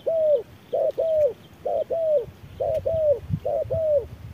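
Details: Spotted dove dueling with an electronic decoy under harsh midday sun: low paired coos, a short note followed by a longer slurred one, repeated about once a second, five pairs with faint rustling below.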